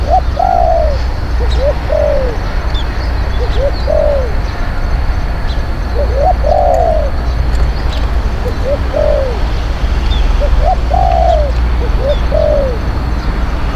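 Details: Spotted dove used for luring wild birds, praised for bold, eloquent cooing: repeated low phrases of two short rising notes and a drawn-out falling coo, six phrases in sequence, low steady hum beneath.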